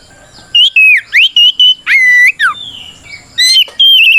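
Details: White-rumped shama singing to provoke rivals into song: varied fluty whistles, downslurs and rising sweeps, one long descending note, delivered in a busy continuous phrase.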